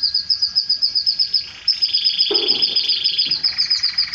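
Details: Canary mating with its female after this song: a fast, regular high trill of pulsed notes overlaid by a lower sustained buzzy roll in the middle section.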